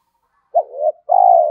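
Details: Decoy spotted dove calling to challenge wild males; one brief bent coo sliding into a softer note, then a sustained rolling purr.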